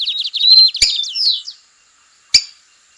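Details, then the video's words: A lined seedeater in the wild delivers a quick run of high repeated notes, then a sustained whistle and two slurred falling notes, followed by a single sharp click. "Bigodinho preto cantando firme e forte na natureza"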